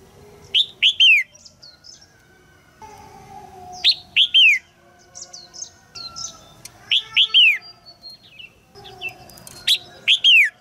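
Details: Caged female red-whiskered bulbul calling to prompt a young male to sing: loud, quick three-note phrases of bright, clipped chirps with a falling slur at the end, repeated about every three seconds, four phrases, with faint thin whistles between.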